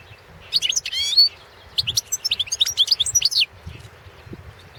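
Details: Balkan goldfinch singing in a 2017 competition recording: two lively bursts of high, metallic twittering and buzzy trilled notes, bright and rapid, with a quiet gap between.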